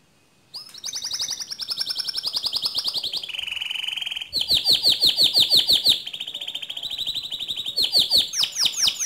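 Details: Canary rolling song used to stir another canary to sing: long rapid trills alternating between higher and lower pitch, a dense buzzy roll, then rising repeated notes building toward the end.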